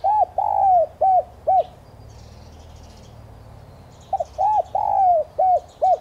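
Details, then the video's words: Spotted dove coos played to provoke doves into calling: a complete phrase of rounded arched notes and a long sliding coo, a pause with faint distant chirps, then the phrase repeats, opening with two clipped notes. "Tiếng chim cu gáy mồi chuẩn thúc kích bổi nhanh nổi"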